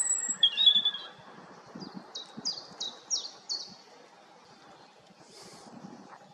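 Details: Songbird identified as a European robin gives a short warbled opening, then a run of five evenly spaced, sharply falling high notes before fading into quiet background noise.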